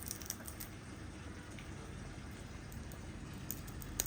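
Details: A quiet room holds low hiss and scattered soft taps, with no animal voice.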